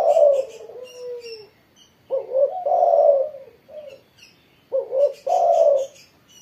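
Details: Spotted dove singing vigorously after morning sunning: low, mellow coos with a short rising note, then a long throaty coo, repeated in phrases about every two and a half seconds; faint high chirps from other birds above.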